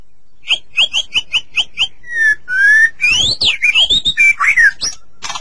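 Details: White-rumped shama singing for a master track that stimulates pet shamas: seven evenly spaced sharp chip notes, then long rising whistles and a lively jumble of swooping, looping whistled phrases.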